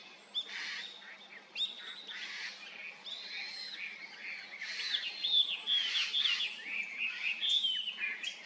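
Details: Japanese grosbeak singing clear whistled phrases, sliding notes repeated in an irregular series that grows louder toward the end, over a quiet background.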